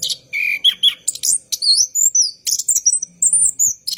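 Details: Caged orange-headed thrush, night-time long rolling song for prompting other thrushes: a few steady whistled notes, then wavering high slurred phrases and quick chirps in close succession.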